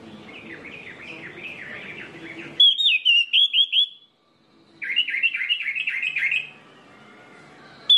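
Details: Lure song of an orange-headed thrush, meant to spur others of its kind into song: rapid wavy whistled notes repeated in a fast chain, a bright louder run, a brief silence, then another wavering series.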